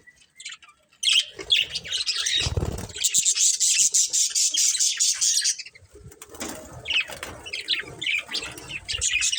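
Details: Budgerigars of a breeding pair chatter in a long, dense, scratchy warble of rapid chirps, with a burst of wing flapping early on and separate twittering notes near the end.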